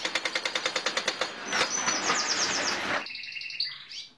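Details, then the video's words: Male Gloster canary mimicking building site machines such as a pneumatic drill and digger on a nearby estate: a rapid run of evenly spaced clicking pulses, then a dense buzzing trill, ending with clear whistled notes that slide up and down. "Canary wants to nest with builders"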